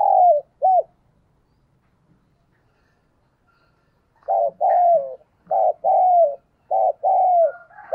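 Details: Decoy spotted dove giving calling coos: two notes, a long silence, then a series of three paired coo phrases, each a short note and a longer downslurred coo, with regular gaps.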